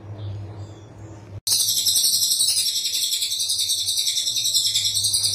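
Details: A brown cililin gives a dense, very high, rapid-fire stream of sharp chirps and trills, running almost without pause after a brief quieter opening.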